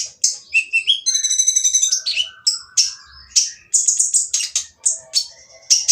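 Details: Oriental magpie-robin with a rough, noisy song used to stir others into singing: a buzzy trilled rattle near the start, then varied sharp whistles and harsh chattering notes delivered almost without pause.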